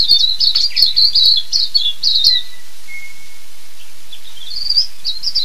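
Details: Silvereye, also called waxeye, from New Zealand: a quick run of high, sweet warbled twittering notes, then a thin, level whistle around the middle, and more rising chirpy phrases at the end.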